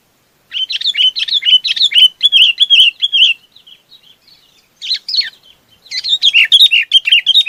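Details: Chinese babax summoning its flock with long bursts of rapid, scratchy chattering notes, about two or three per second, pausing briefly, a few soft notes, then a fresh louder burst.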